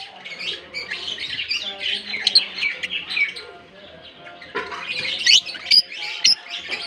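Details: African lovebirds calling together in a colony at Larkana, a busy mesh of thin chirps and squeaks that thins out midway, then returns as sharper shrill notes near the end.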